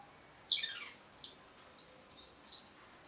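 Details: Long-tailed shrike (cendet) song: one harsh, sweeping downward call, then short, very high, sharp notes about every half second over a quiet background.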